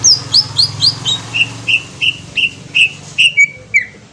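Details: Green leafbird from Kalimantan in a lure song aimed at provoking a response. High, falling whistles open, then evenly spaced, rounder whistled notes repeat about every third of a second, over a low humming background.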